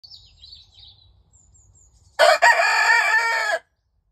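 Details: A friendly, hand-raised Leghorn cockerel gives one loud, harsh, fairly high-pitched crow of about a second and a half, rich in harmonics and ending abruptly, after faint high bird chirps and low rumble.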